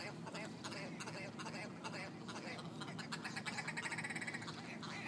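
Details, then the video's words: Large flock of ptarmigan squabbling on a town street in Yellowknife, Northwest Territories, Canada: dense overlapping harsh, croaking, clucking calls from many birds throughout, over steady background noise. "Squabbling ptarmigan"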